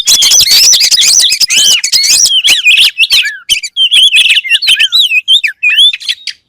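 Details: Oriental magpie-robin (kacer) in rich, loud song: rapid runs of fluty, rising and falling whistled phrases packed with sharp chirps and clicks, pausing briefly between bursts toward the end.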